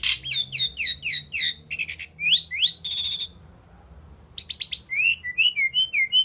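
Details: Asian pied starling singing and chirping: a fast, varied run of bright whistled and rising chirps, short buzzy bursts and clipped notes, broken by a brief pause before more whistles and chirps resume.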